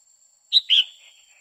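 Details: Female red-whiskered bulbul singing to excite a male, quých kiu style: a single brief phrase, one sharp high note, then a fuller falling whistle trailing off.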